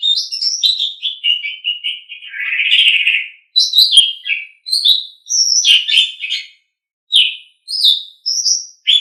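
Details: An Asian pied starling, kept as a pet, sings a varied song in a tutoring recording: descending whistled notes, a rough grating phrase, then separate short squeaky and whistled calls with gaps.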